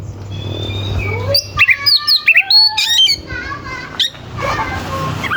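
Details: Oriental magpie-robin song used as a lure to provoke rival birds into singing; a varied, loud burst of sharp whistles, rapid chattering notes and harsh, rough phrases, opening with long slurred whistles over a low background hum.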